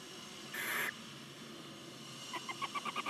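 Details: In a nest box beside a chimney in Ságvár, Hungary, one of nine Barn owl chicks aged nineteen days hisses harshly to beg, then a quick series of about eight rhythmic ticking chitters follows.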